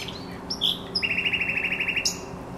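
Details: Along the Żerań Canal on 24 April 2022, a thrush nightingale gives a whistled note, then a fast even series of about fifteen repeated clicks, ending on a high rising whistle.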